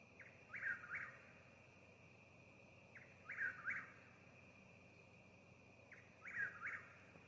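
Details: In a yard in Mississippi an eastern whip-poor-will repeats its song: clear whistled phrases of three notes, the last sliding upward, given at a steady pace about every three seconds against a continuous high-pitched insect buzz.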